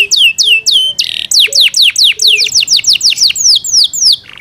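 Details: Yorkshire canary song, loud and clear: rapid series of high whistles that slide downward, briefly interrupted by a harsh buzzy burst, then resuming steadily before fading into a soft rattle.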